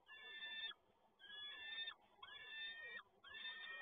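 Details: Peregrine falcon at a nest site at PGE Toruń, Poland, recorded 7 May 2022 as the male arrives with another prey delivery; four drawn-out, harsh wailing calls with a strong harmonic band, each lasting about half a second.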